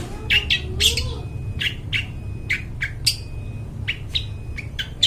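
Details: Long-tailed shrike in lively song, suited as a lure for wild birds in the forest: sharp, harsh chirps and squawks repeated in quick bursts, with a low steady hum underneath.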